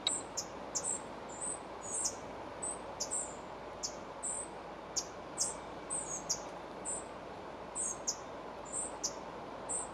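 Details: Near Moscow, a spotted flycatcher at the nest while feeding young gives a run of very high, thin, clipped notes. Short downward flicks mix with brief level chips, about two per second, over a constant soft hiss.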